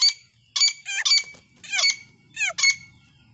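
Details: Black francolin (dakhani teetar) during a fight: loud, harsh, grating bursts with rough overtones, several in quick succession and others after short pauses, with faint low room noise behind.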